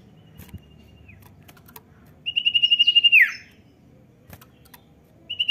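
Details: Common iora call used to prompt a young, untrained bird to sing: one high, rapidly pulsed whistled trill held level for about a second, then slurring sharply downward, with soft low background rumble.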